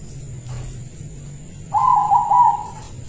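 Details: Caged silver-coloured local zebra dove used as a lure, giving one brief rolling trilled coo after a quiet start with low background hum.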